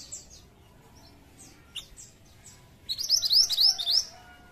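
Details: Pied triller lure song for attracting flocks: scattered thin high chirps and whistles, then a loud rapid series of about seven bright, slightly rising notes lasting around a second.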